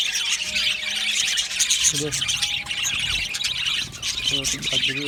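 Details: Budgies chirping and warbling in a continuous high, gritty chatter, while a human voice speaks briefly in the background twice.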